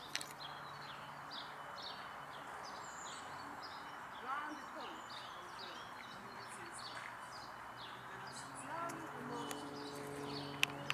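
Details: European robin (Erithacus rubecula) singing a run of thin, high, varied twittering notes, delivered rapidly and unevenly, over steady city traffic noise; Tivoli Landscape Park, Ljubljana, 28 February 2024.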